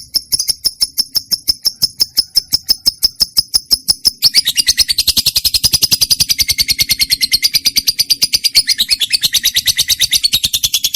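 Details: Song of a trained lovebird: evenly spaced high clicking notes for about four seconds, then a louder, rapid, harsh chattering stream that continues to the end.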